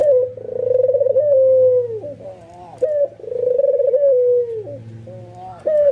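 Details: Excited albino white ringneck dove, nodding while it coos and rousing other doves to join: two long pulsing coos with a falling finish, a faint low hum beneath.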